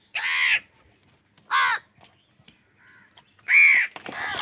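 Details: Crows fighting wild birds over food, angry; three loud rasping caws with pauses between, the last followed by further scratchy calling.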